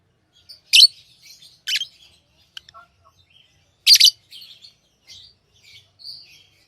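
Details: Lovebirds chirping with three loud harsh shrieks, then quieter high twittering notes and a short whistle near the end.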